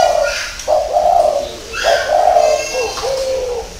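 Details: Spotted dove giving a repeated cooing phrase of low, mellow notes. Each note starts with a short rising lead-in, then holds steady, and the phrase falls off at the end. Faint higher chirps are heard in the background.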